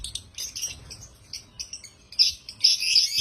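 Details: African lovebirds chirping in short bursts of high, buzzy notes, quiet at first, then louder chattering toward the end.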